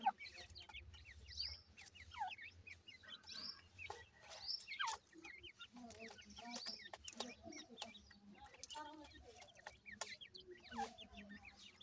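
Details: Francolin chicks at feeding time call in a steady stream of brief high peeps that slide downward, overlapping from several birds, with low clucks, a low hum and intermittent knocking.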